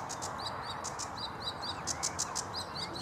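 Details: At Vange Marsh RSPB, 7 May 2016, a sedge warbler sings: quick alternation of clicking bursts and short upslurred chirps, repeated in a busy, chattering pattern over constant background hiss.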